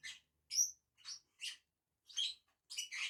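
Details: A pair of lovebirds feeding on a branch makes six sharp, scratchy single chirps spaced about half a second apart, some with a piercing whistled edge.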